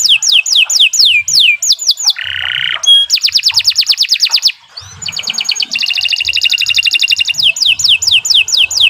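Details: Canary pouring out long song for training other birds: descending whistled slurs, a low reedy buzz, a bright rapid trill, a dense rolling buzz, then more downward whistles, varied and almost unbroken.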